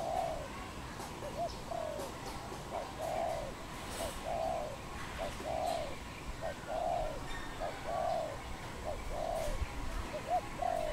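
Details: Wild dove recorded in Cambodia on 24 April 2020, giving a steady series of low, mellow coos, each phrase a brief rising note then a longer purring coo, repeated about once a second over faint outdoor noise.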